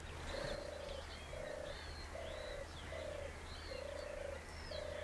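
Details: A European turtle dove, heard nearby at the Parc du Marquenterre in the Somme, France, purrs a soft, rolling low note about once a second, with thin higher whistles from other birds and a low hum behind it.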